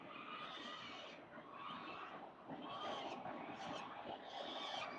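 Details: Wild peregrine falcon at its nest on a building, eating small prey for breakfast on October 22, 2022, picked up by a nest camera. Harsh, harmonic calls come in short bursts over steady background noise.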